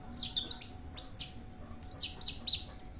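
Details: Long-tailed shrike (cendet) singing: sharp, scratchy high notes and short whistled slurs in two bursts separated by a brief pause, over a faint steady hum.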